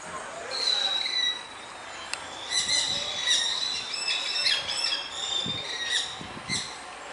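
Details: A red-fan parrot (Deroptyus accipitrinus) at Dois Irmãos Zoo, Recife, Brazil, on 25 October 2011 gives harsh, nasal squawks and screechy notes in irregular bursts, several running together, over a faint outdoor hiss.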